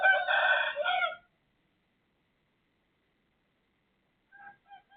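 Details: A neighbour's rooster heard at 03:35 on 18/12/2567, crowing in a loud, raspy burst of just over a second, then a long silence and a faint, distant echo-like crow.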